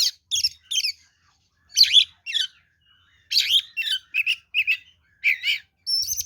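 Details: Oriental magpie-robin singing a fighting lure song: loud grouped phrases of raspy chatter and whistled notes, with a sustained high whistle at the end.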